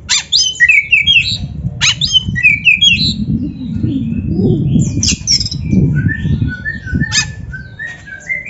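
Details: Oriental magpie-robin (kacer) masteran song meant to stimulate and train other birds: quick whistled twitters and harsh bursts early, softer varied notes later, over a steady low rumbling background noise.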